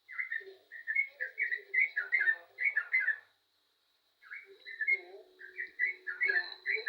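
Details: Lively yellow-vented bulbul song of rapid, gurgling, bubbly notes strung into chattering phrases. One run stops for about a second and then resumes, with faint low tones beneath.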